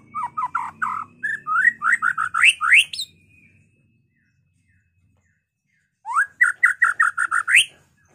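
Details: White-rumped shama in lively fighting-style song used to lure and provoke other shamas: series of rising whistled notes repeated rapidly, a pause, then another fast burst of upslurred whistles, with a faint low hum beneath.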